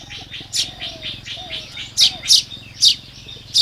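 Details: Loud, close Baya weaver chirps during morning nest building in Lopburi, Thailand, 1 May 2026. Bright high notes tumble out in uneven clusters, roughly three per second toward the end, over faint thin whistles.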